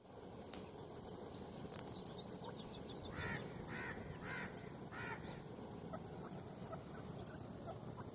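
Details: Grey francolin (teetar), male and female, giving four harsh, broadband calls in a quick run midway, after several high thin chirps from another small bird, with steady low background noise throughout.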